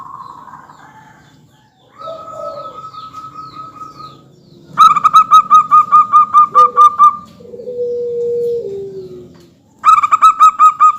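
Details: Local zebra dove song played as a lure to make other doves call back: long mid-pitched cooing phrases broken into rapid, evenly pulsed notes, with softer sliding tones between them over a steady low hum.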